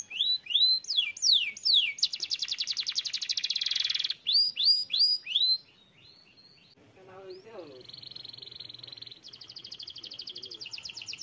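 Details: Canary song of rapid repeated swept syllables and a loud fast buzzing trill, then a pause with a faint low voice-like sound, after which a thinner high trill resumes.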